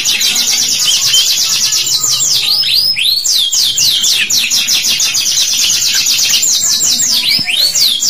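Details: Canary song played as a lure to get young canaries singing, in the long chattering 'cuit cuit' style: loud rapid trills of high, repeated notes, broken by swooping whistled slurs, continuing without pause for the whole stretch.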